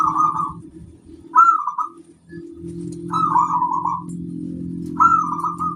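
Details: Local zebra dove used as a master singer: four rolling trilled coo phrases, each starting with a brighter note, over a continuous low droning hum.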